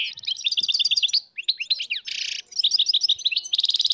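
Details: Wild European goldfinches, dozens together in northern Morocco in 2022, deliver lively repeated chirp phrases, a short harsh buzz, then more twitters ending in a rapid high trill.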